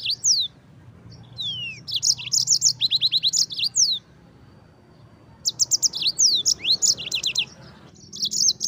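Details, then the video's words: Yellow-fronted canary singing a long rolling song used as a tutor for Oriental white-eyes, two extended phrases of rapid repeated high chirps and swooping whistles separated by a short quiet spell. "suara Mozambik gacor ngerol nembak durasi"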